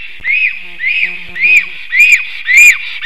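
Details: Black stork at its nest on the evening of 9 April 2024, 5:58 pm, singing and defending the nest on returning home: wheezy, arched whistled notes repeated almost twice a second, with faint low buzzing underneath.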